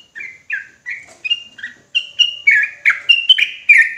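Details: Rapid 'ropelan' song of an agitated sooty-headed bulbul: bright whistled notes, some downslurred and some level, strung together quickly and growing louder through the phrase.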